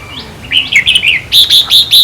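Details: Red-whiskered bulbul song played to caged birds to excite them: a warbling phrase of liquid notes followed by four loud, clear, evenly spaced whistled notes.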